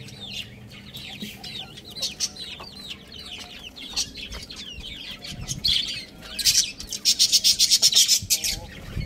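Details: Little roosters playing, eating and drinking on a roof make quick, high, wavering peeps in uneven runs. Toward the end comes a dense burst of rapid scratchy pulses, like flapping or scrabbling.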